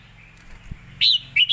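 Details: Red-whiskered bulbul, a caged songbird, giving a loud whistled note after a faint low thump, then a few more quick bright chirps at the end, with soft low noise underneath.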